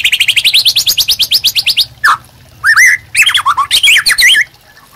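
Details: White-rumped shama singing a master song for training caged birds. A rapid rising series of about twenty repeated upslurred notes gives way to rich, twisting whistled phrases and brief pauses.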